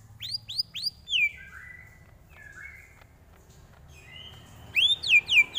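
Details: Greater green leafbird song meant as a tutor recording for training, mixing quick rising upslurred whistles, long descending slurred notes and varied twittering phrases, with a burst of sharp repeated upswept notes at the end over a faint low hum.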